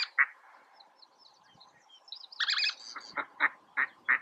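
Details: Least tern at Oso Flaco, recorded May 31, 2019: a clean sequence of sharp, grating chips, then a rasping double note, followed by four evenly spaced short calls at roughly three-per-second pace, with little background.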